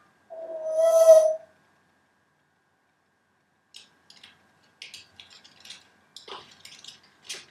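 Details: A feather-plucked grey parrot, long restricted in movement and in its first six months at a new home, sings a long, rich whistled note, then a scatter of short squeaks and clicks.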